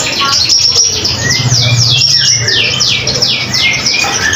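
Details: Common iora in lively song, used as a model for other songbirds to learn from; a rapid series of high descending sweeps repeated several times a second, with a brief thin whistle and a low hum.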